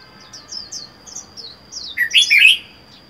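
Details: Red-whiskered bulbul caged alone, caught wild four months ago: a rapid series of thin, sliding high chirps builds into a loud, rich, rolling warbled phrase, a constant shrill tone running underneath.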